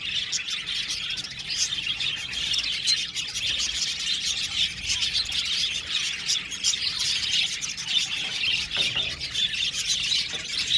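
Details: Budgerigars (Melopsittacus undulatus) in an aviary colony keep up a dense, continuous chatter of high chirps and warbles.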